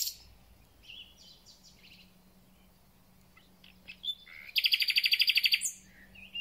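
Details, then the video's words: At the start of spring, a thrush nightingale sings quiet scattered whistles and chips, then bursts into a loud, rapid, metallic trill of a dozen even pulses lasting about a second. "Słownik Szary koncert na całego to znak że zaczęła się wiosna"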